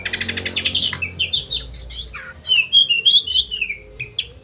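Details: Oriental magpie-robin "roll tembakan" song for caged-bird training; opening rattled buzzy notes, scattered squeaky whistles, then a clear series of short looping whistled notes, over a low hum.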